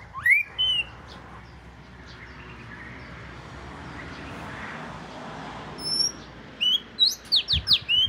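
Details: Oriental magpie-robin of the southern Thai type, the household's first, opening with two bright whistled notes, then a hissing lull, then a quick string of sharp, high, rising whistles.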